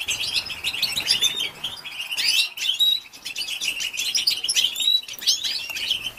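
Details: Stimulating calls of a female European goldfinch meant to rouse males. Rapid, high-pitched chattering twitters run on throughout, with a few clear thin whistled notes standing out among the busy chirps.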